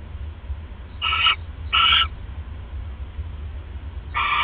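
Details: Owl, female, on a live cam at 1:30 AM on 31 December 2014, eating a rat right after casting a pellet; two short rasping calls close together, a pause, then a third, over steady low hum.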